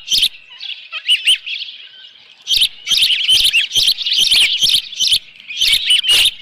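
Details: Osprey at its nest with a live fish, morning of 24 June 2018: loud, insistent bursts of high piping chirps with brief pauses, mixed with frequent sharp clicks and knocks.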